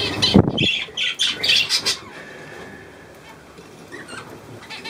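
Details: Budgerigars, 9 February 2024, give a quick cluster of rasping squawks and chirps over about two seconds after a low knock. The room then goes nearly quiet apart from faint soft chatter.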